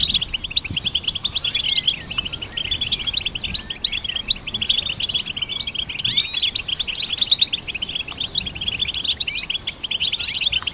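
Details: Goldfinch song, possibly a hybrid: high, tinkling twitters and sharp chirps packed closely together in an unbroken, lively chatter over the whole stretch, against a clean, quiet background.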